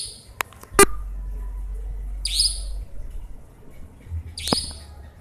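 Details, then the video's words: A nightjar gives two sharp, high, downslurred calls about two seconds apart, over a low background hum and an early knock. "Burung cabak"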